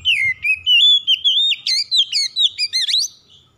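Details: Oriental magpie-robin pouring out a loud, fluent song of long sliding whistles mixed with sharp rising and falling chips, about a dozen notes in close succession before fading.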